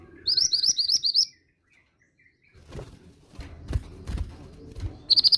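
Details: Female mountain bushchat calling, used as a lure to prompt young males to sing: a quick run of high, sharp chirps repeated rapidly for about a second, then quiet, then handling thumps and rustling, with a brief burst of chirps at the end.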